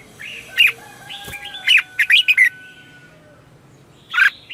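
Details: Red-whiskered bulbul singing in the morning to attract wild birds: a few loud chirps, then a rapid burst of four sharp notes, one final phrase, over a faint drawn-out whistle.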